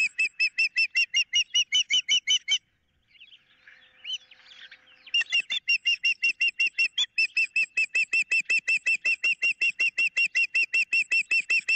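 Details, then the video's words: Osprey on a nest camera, 15 April 2023, with an intruder of some type in the area and a dispute over a fish: loud, ringing, whistled chirps repeated rapidly and steadily, about two and a half per second, with one brief pause. "Swoop has a picnic pole & a fish & Harriet wants it ~ Intruder of some type in the area"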